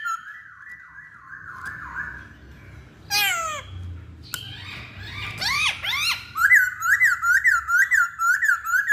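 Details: Masked laughingthrush song used as a lure to set other birds singing, opening with a wavering whistled warble, then steep downward sweeps, arched notes, and a rhythmic string of rapid whistled undulations.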